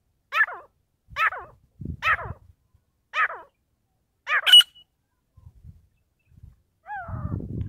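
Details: Partridge during a fight: five harsh, downward-sweeping calls repeated about once a second, followed by low rustling and a final pair of sliding notes.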